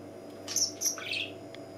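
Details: A cheerful tame budgerigar kept indoors as a pet gives quick, high, tweeting chirps in a short cluster. Some notes slide downward, followed by one faint extra chirp, over a steady low hum.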